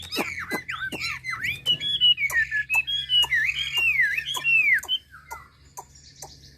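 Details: Chinese hwamei from Hà Giang, Vietnam: loud, varied whistled phrases with sharp downward-sweeping notes and rolling warbles, repeated quickly, fading at the end, over a low indoor hum.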